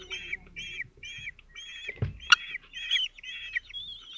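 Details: Common kestrels at a Théding nest, 27 June 2023, with the male bringing food to four chicks aged 17 days. About eight short, high, wavering whines follow one another quickly, with a sharp knock partway through.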